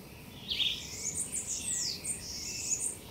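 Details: A Blue-winged parrotlet (Forpus xanthopterygius), feeding on Hibiscus schizopetalus leaves in a garden, gives a run of thin, very high chirps and twittering notes, some sliding down, over faint background hiss.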